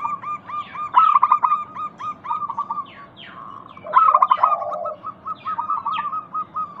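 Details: Local zebra dove cooing used to stimulate other doves to sing: long runs of evenly spaced short coos with two louder stuttering bursts and one low rolling coo. Faint chirps from other birds are audible.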